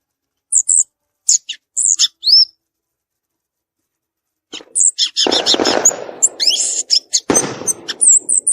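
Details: Wild violaceous euphonia: a few high chirps and a rising whistle, then after a silence a dense, chattering jumble of high notes over harsh, scratchy broadband sounds.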